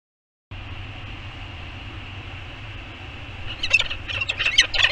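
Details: The Anacapa Island peregrine falcon pair, Channel Islands, California, on 7 January 2021, chatting around their nest bowl, give a quick burst of sharp, scratchy chips near the end, several per second, over a steady roar of wind.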